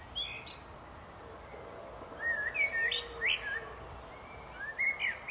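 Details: Several fluty, looping whistles from a common blackbird come in a lively cluster, bending up and down. A lone note opens the passage, and a steady hiss runs underneath.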